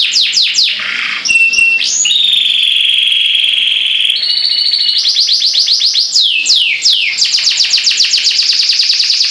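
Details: Caged pet canary singing: rapid trills of repeated downslurred notes, long steady whistled tones, and fast buzzy rolls, loud and continuous throughout.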